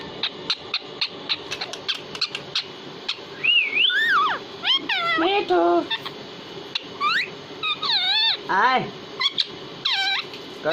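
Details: Hindi-speaking pet parrot mixing short ticking clicks with longer wavering whistles and nasal, speech-like phrases that swoop down and up. Some phrases are looped and bent, in irregular bursts over a faint constant background hum.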